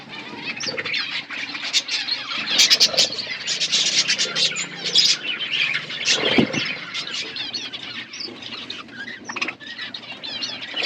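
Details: Pet budgies eating food and chirping together: busy layered chatter of quick squeaky notes and rapid warbles, a few sharp squawk-like bursts, and a brief low knock midway.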